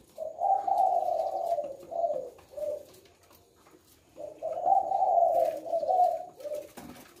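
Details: Spotted dove of the leopard type singing its six-note coo song; two runs of low, soft, rolling coos, each a string of joined notes ending in shorter ones, separated by a pause of about a second and a half.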